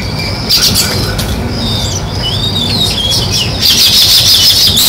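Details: Natural sparrow chirping: quick high chirps and short slurred tweets running together, with bursts of denser twittering near the start and end over a faint low rumble.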